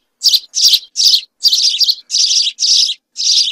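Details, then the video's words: Several house sparrows chirping together: a short burst of eight scratchy, ringing chirps, some longer and run together, delivered quickly with brief gaps. "عصفور الدوري الكحالي مجموعة طيور تغرد صافي song house sparrow"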